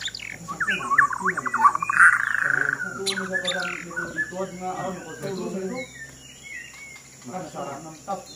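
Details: White-rumped shama, a male shown as a king fighter in fighting display, delivers loud, rich, rapidly modulated whistled and warbled phrases in the first seconds, then scattered short chirps, over steady people talking and a constant high electrical hum.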